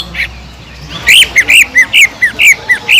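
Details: Greater green leafbird with tengkek udang fill: after a near-quiet second, a fast sequence of about nine loud, slurred, squawky whistles pours out at roughly two per second.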